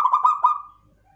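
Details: Local zebra dove of the klowongan type giving a short run of four quick, stuttering coo notes. They blend into a fading sustained tone.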